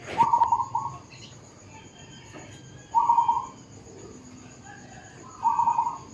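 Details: Zebra dove singing in a suburban housing complex: short bursts of rapid, staccato cooing notes at mid pitch, three phrases roughly two to three seconds apart, against a quiet background with faint distant chirps.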